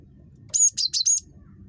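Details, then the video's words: Gelatik batu, the cinereous tit, in chattery voice meant to coax other tits into calling: four fast, shrill, high whistled notes in a single burst, low hum underneath. "GELATIK BATU SUPER CREWET"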